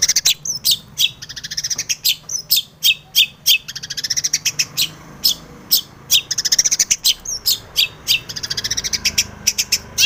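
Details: Long-tailed shrike in energetic, varied song intended to provoke other shrikes to sing: continuous scratchy chattering with rapid bursts of high, harsh notes and occasional whistled slurs.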